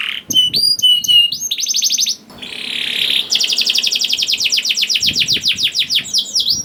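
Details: Singing young canary (kenari paud), played to draw other canaries into song: clear whistled notes, a fast buzzy trill, a short noisy burst, then a long run of rapid repeated chips and sweeping phrases.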